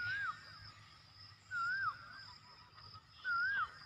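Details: Young black francolin (kala teetar chick) giving thin, wavering whistled notes that dip and fall, one about every one and a half seconds, over a faint steady background hum.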